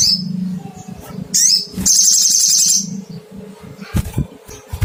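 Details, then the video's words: Sogon, or crimson sunbird, calling in search of a rival. A thin high whistle opens, then quick descending chirps and a loud, buzzy rattling trill lasting over a second, with steady low hum and scattered clicks beneath. "Cuitt cuitt panggilan SOGON mencari lawan"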